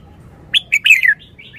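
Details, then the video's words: Caged red-whiskered bulbul singing a wild-style song phrase: a quick burst of bright, bubbly chirps that slur downward, then softer trailing notes. Faint low background noise. "นกกรงหัวจุก 292 เพลงป่า แกนโต"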